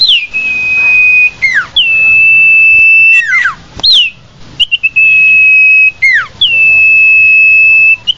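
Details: A common iora lure: a series of long, even, high-pitched whistles, each ending in a steep falling slur, with a few short chirps between.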